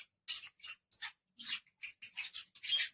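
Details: Pet lovebirds chattering with quick, shrill, scratchy chirps, closely spaced and uneven.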